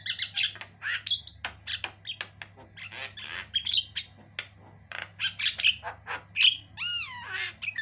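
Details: A very chatty white-eyed Javan myna pours out long, varied song for a tutor recording: dense harsh squawks and clicks repeated in quick runs, squeaky whistles, and a closing series of clear downward-swooping whistled notes, with steady low hum.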